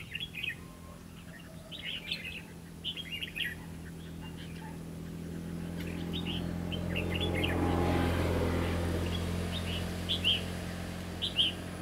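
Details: Trapping session for red-whiskered bulbuls, recorded 11 November 2016: clusters of quick, chirpy, warbling phrases repeat through the first few seconds, fade under a swelling low rumbling hum in the middle, then return as sharp notes near the end.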